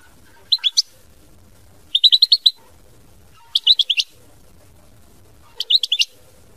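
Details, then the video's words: Mama binette style song of a European goldfinch: four brief bursts of crisp, rapid chirping notes, each of four to six elements, repeated at intervals of about one and a half seconds. "Chant Chardonneret mama binette"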